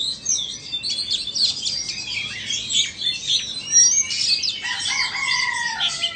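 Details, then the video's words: Oriental magpie-robin duel between a Vietnamese bird and an Indonesian bird. Busy, high, twittering song fills the first part, then clear sliding whistles drop in pitch over the last two seconds. "Chòe than VN đấu với Chòe Than Indo"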